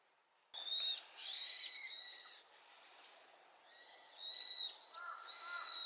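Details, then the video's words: Brown-eared bulbul calling loudly in answer to its flock's chorus: after a brief silence, harsh, screechy calls with strong harmonics, a short pause, then two more loud rising-and-falling outbursts. "群れの大合唱に応えるヒヨドリ ヒヨドリの鳴き声 Brown-eared bulbul sing too loud."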